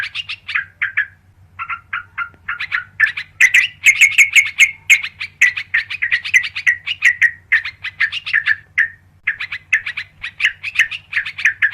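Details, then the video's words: Sooty-headed bulbul used as a lure: long excited chatter of bright, slightly buzzy chirps that speeds up into dense runs and slows again, with a constant low hum beneath. "SUARA PIKAT BURUNG TRUCUKAN KARUANG PALING AMPUH"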